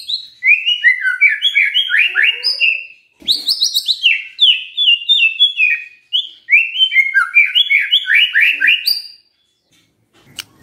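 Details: White-rumped shama singing in the morning to spur a silent shama into song: rich, fast phrases of slurred whistles and chattering notes, rising and falling, in three bursts separated by brief pauses.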